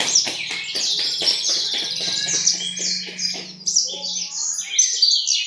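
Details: East Javan Horsfield's bushlark, a diligent singer, running a dense high song of chirps and trills, with a steady low hum and faint ticking in the background.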